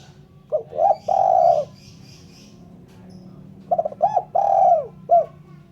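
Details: Spotted dove calling, a clean recording meant for luring birds: two phrases of low cooing, a quick stuttered lead-in, a long drawn falling coo and a short closing note, separated by about two seconds of quiet.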